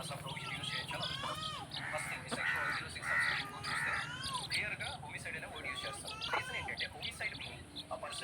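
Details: Chickens on a rooster farm: a dense flock chorus of high, rising and falling peeps overlapping continuously, with brief louder bursts, over a low steady hum.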